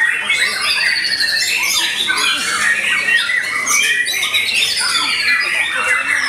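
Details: White-rumped shama singing fiercely after its moult: a dense, unbroken stream of varied whistled and chattering phrases, mostly high, with quick rising and falling sweeps and no pauses.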